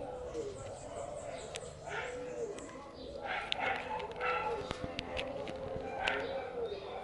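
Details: A free-living flock of parakeets near a house gives harsh, scratchy squawks in short bursts every second or two over a low murmur, possibly distant voices.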